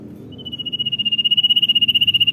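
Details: Common iora giving a single long, rapidly trilled high whistle that grows steadily louder for about two seconds, part of its 'dor nyiul' song, over a low murmur of background noise.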